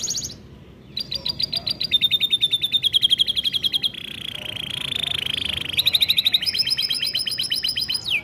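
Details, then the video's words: Canary singing long rolling trills at several pitches, fast and steady, with a softer buzzy stretch in the middle and a rising phrase at the end. "kenari gacor panjang AMPUH buat PANCINGAN KENARI PAUD AGAR RAJIN BUNYI"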